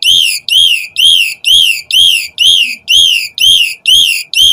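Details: Asian pied starling calls meant to draw a fast, excited reply from other starlings: loud, high whistled notes, each bending downward, repeated very evenly about twice a second with no other sounds.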